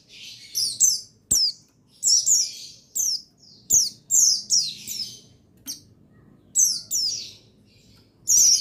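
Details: Buxtoni white-eye male, used as a lure so lazy birds start singing. Clusters of bright, high downslurred chirps follow each other quickly, with a longer gap near seven seconds and a faint low rumble.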